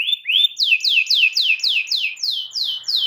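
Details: Belgian canary song used as a lure to help young canaries learn to sing: a fast, clear run of repeated high, downslurred notes, about four per second, with nothing else heard.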